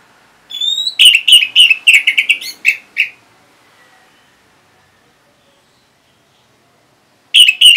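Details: Orange-headed thrush from northern Bali responding to a played lure: a rapid two-second run of repeated bright chirps, then silence, and another burst starting at the end.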